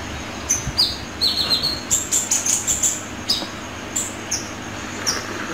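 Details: Sunbird entered in a weekly best-singing contest, singing a rapid series of thin, high chirps and short descending trills in bursts, with brief pauses between phrases and quiet background hiss.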